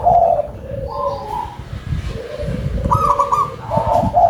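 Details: Big-voiced local zebra dove cooing: short choppy trilled notes, a higher stuttering burst near the end, over a low rumbling background.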